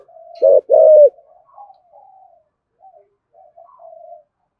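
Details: Spotted dove giving one loud thúc gù coo pair, short then longer and falling, meant to provoke other doves, followed by soft, low trailing murmurs.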